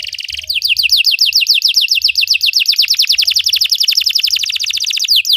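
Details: Belgian canary song used to train canaries to sing, a long run of quick, bright, down-slurred whistled notes repeated about four per second, steady and loud throughout.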